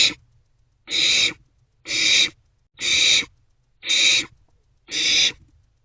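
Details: Barn owlets in a nest box at night on 27 March 2024, between 1:47 and 2:06 am, sharing a vole and passing it back and forth. Harsh, broadband hissing screeches of about half a second, repeated roughly once per second, six in all.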